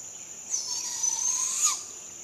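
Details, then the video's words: Barred owl fledgling begging at sunrise: one raspy, hissing screech about a second long that swells and rises sharply at its close, set against a steady high-pitched insect drone. "Barred Owl Fledgling Begging Call"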